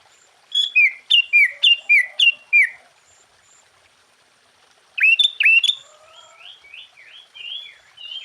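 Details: Sooty-headed bulbul in lively full song, played to stir other bulbuls into answering. Five paired liquid notes, a high note dropping to a lower one, come in quick succession. After a pause, a second bubbly burst trails into softer warbling.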